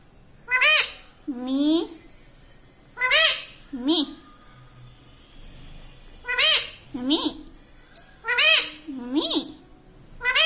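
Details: Green ringneck parrot, a household pet, repeating learned words such as "mummy" and "radhe radhe"; paired, shrill speech-like syllables with bent pitch, repeated in bursts across the recording with quiet gaps.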